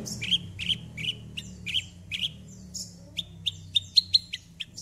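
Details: High, sharp chirps from a Javan bush lark in vigorous song, used to lure a non-singing bird, repeated in a quick even series that becomes faster and more clipped toward the end.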